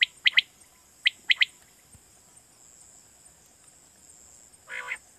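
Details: Quail lure used for night hunting in Pakistan: two quick whistled triplets at the start, a long hissy pause, then a single nasal, wheezy note near the end.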